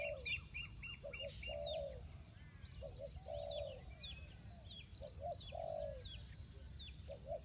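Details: Spotted dove luring wild birds into a trap: rhythmic coo phrases, a short double note and a long sliding note, repeating, while other small birds chirp and twitter sharply above.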